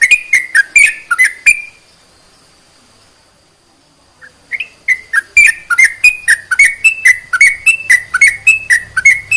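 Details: Sooty-headed bulbul song meant to arouse reluctant bulbuls into singing: a burst of quick whistled notes, a pause of about three seconds, then a longer rapid run of bright, alternating-pitch whistles.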